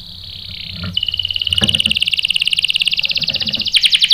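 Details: Canary, male singing when provoked by a female; a steady, fast rolling trill of evenly spaced notes, with a higher thin trill overhead and a brief switch to brighter notes at the end, faint low background noise.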